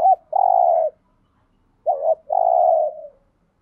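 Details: Spotted dove calling to stimulate other doves: two low coo phrases, each a short wavering note followed by a long steady hum, the second phrase after about a second's pause, in otherwise quiet surroundings.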